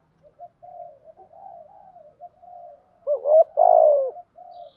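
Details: A caged spotted dove decoy gives soft, low, murmured thúc gù notes, repeated quickly for three seconds. Then come two loud full coos, a rising note followed by a long falling hum.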